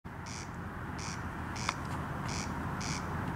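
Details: A corn crake (Crex crex) calling at night over Lake Powsinkowskie on 20 June 2021 gives dry, rasping calls about every two-thirds of a second over a steady low rumble of distant traffic.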